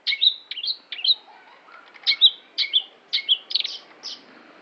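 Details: Long-tailed shrike, known locally as cendet, singing a lively run of sharp, slurred whistles and chattery notes. The phrases come in quick bursts with brief pauses in between, some notes sweeping up and others dropping, against a quiet background.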